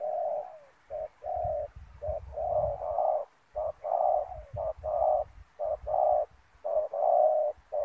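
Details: Spotted dove acting as a lure for wild doves at a ground snare: a dense run of mellow hooting coos, short notes alternating with longer held ones, over a soft low rumble.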